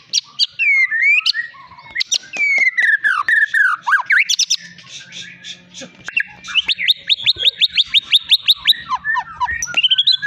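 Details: Caged long-tailed white-rumped shama from Medan, a champion of many bird contests, pours out a rich medley: slurred whistles, downward sweeps, then a fast train of sharp repeated chips, with a faint low hum behind.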